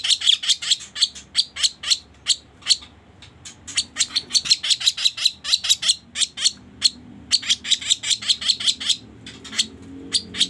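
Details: Sooty-headed bulbul lure recording for trapping birds: rapid bursts of harsh, high chattering notes, several per second, in runs broken by short pauses, over a faint low hum.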